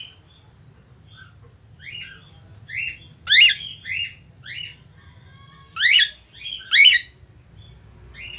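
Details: A budgerigar whistles and chirps to attract a female. Short harmonic notes come in clusters, with a louder pair of sweeping squawky chirps near 3.5 seconds and a run of three near 6 to 7 seconds, over a faint background hum.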